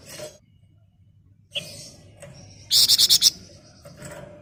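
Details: Flamboyan songbird in ngebren style: brief soft rustles and faint chirps, then a sharp half-second run of six rapid, piercing high chirps before things quieten again.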